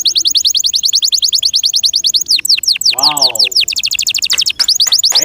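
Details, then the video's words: Caged canary kept by its owner, singing loudly: fast repeated trills of high notes, then a run of downward-sweeping whistles and a brief lower buzzy phrase, with rapid chirping trills resuming at the end. "PLEASE LISTEN AND ASSESS FOR YOURSELF THE BEST CANARI BIRD"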